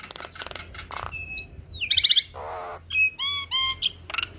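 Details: Black-winged starling in gacor song, nodding its head: a long gliding whistle, a buzzy trilled burst, a harsh grating rasp, then short bright repeated whistled notes with faint low hum beneath.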